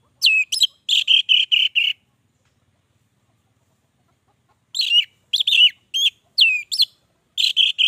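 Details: Sustained song of an orange-headed thrush: a burst of repeated whistled notes, a long silence, then a string of hooked, downslurred whistles and quick repeated notes.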